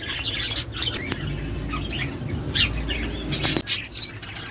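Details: Budgerigar calls used to encourage mating and egg-laying; sparser squeaky chirps and soft warbling with a few sharp high notes near the end, over a steady low hum.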